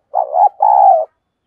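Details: Vietnamese decoy spotted dove in 'thúc gù' cooing meant to provoke wild birds: a single low, burred two-part coo, the first part wavering and the second a longer even hum, clean and close.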